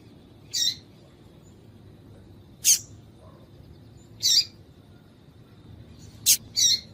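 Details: Female double-collared seedeater call for rousing a male to sing: widely spaced, high, sharp chips, ending with a quick double note, over a low quiet hum.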